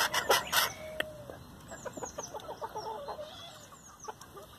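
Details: Chickens in a feeding frenzy on leftover hamburger buns: a few loud broad pecking or scratching noises, then soft scattered clucks and short thin peeping notes at a busy, irregular pace.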